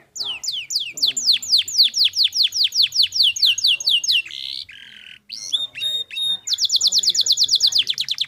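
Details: Canary singing a clear training song: a long run of repeated downward-swept notes about three per second, a brief buzzy break, sharp clicks, then a fast, even high trill to the end.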